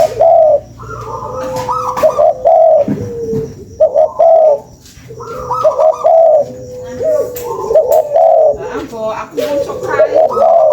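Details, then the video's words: Spotted dove cooing as a lure. Repeated phrases of a higher opening note and soft low coos run through the whole recording, with overlapping notes and scattered clicks and chirps. "SUARA PANCINGAN BURUNG TEKUKUR"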